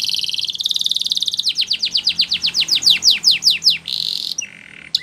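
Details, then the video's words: Belgian canary in training song, beginning with a fast, even trill, then slowing into distinct down-sweeping whistled notes, ending with a harsh buzzy note and a lower, nasal tone; faint background hum. "The Most Magical Training Belgian Canary"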